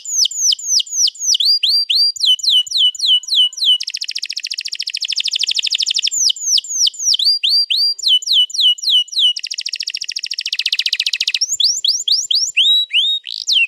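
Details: Canary in a long rolling song meant to coax another canary into singing, recorded 21 April 2022: series of downward-sweeping whistled notes alternating with two long buzzy rolls, high and clear throughout.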